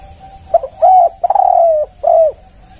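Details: Spotted dove lure phrase, 'kuk 1': a short opening note, a rounded coo, a long sliding coo held nearly half a second, then a final arched coo over a faint steady hum.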